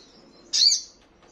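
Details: Sogon (crimson sunbird) played to caged birds to provoke answering and wing-fluttering: one short, sharp, very high note with a faint thin whistle before it, against a quiet hiss.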